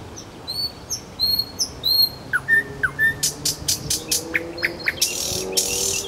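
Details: Nightingale singing in Kuzminsky forest park: high whistled notes repeated in pairs, then sharp descending notes, then a burst of loud clicking, rattling strokes.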